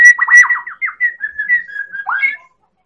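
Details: Medan white-rumped shama singing to provoke other birds: fast downslurred whistles over a steady tone, easing into a softer level trill, ending in a sharp rising slur.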